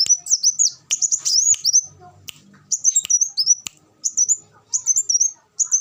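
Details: Rapid, piercing twitter phrases from a sunbird called kolibri wulung, broken by clicks, with soft low murmuring sounds faintly in the background midway.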